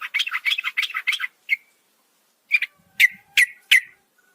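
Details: Female yellow-vented bulbul calling a male at night: a run of fast, jumbled chattering notes, a pause, then several separate sharp, sliding chip notes.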